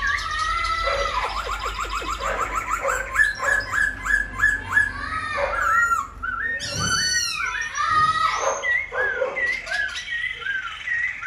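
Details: Tame caged silver-eared laughingthrush, wings and fanned tail on display as it sings all day; fast series of clipped whistled notes about three per second, a harsh scratchy burst midway, then more looping whistles.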